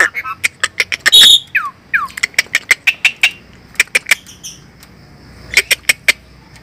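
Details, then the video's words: Fierce Asian pied starling giving a rapid series of sharp clicking and squawking notes, with a few downslurred whistles and a bright sustained note early on, pulsing in irregular clusters. "Burung Jalak Suren Galak"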